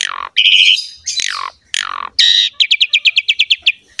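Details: Captive Asian pied starling song meant to prompt silent birds to sing: harsh descending squawks, a buzzy trill, then a steady string of about ten bright repeated notes ending abruptly.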